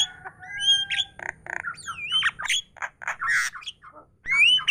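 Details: Myna chattering continuously: varied whistled notes, sweeping slurs and harsh squawky bursts follow each other rapidly, some clear rising whistles near the end.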